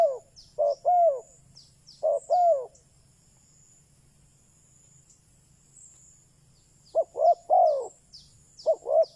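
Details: Spotted dove kept as a decoy for luring wild doves: two bursts of soft descending coos separated by a long quiet gap, with high twittering from small birds above.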